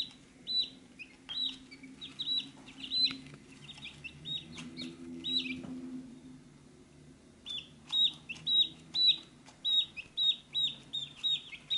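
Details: Chicks gathered at a feed dish, peeping in rapid high down-slurred notes. A pause with low rumbling handling noise follows, then a loud, quick run of peeps resumes.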